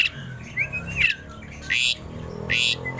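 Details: Asian pied starling, tame and singing steadily, gives a slurred whistle followed by two loud grating squawks, with a thin high note trailing at the end.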